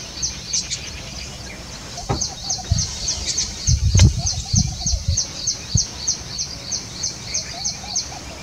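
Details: Steady, fast, high-pitched chirping from two little green bee-eaters on a branch in Jhalana, on the lookout for prey, about three notes a second, with some low knocks and handling noise in the middle.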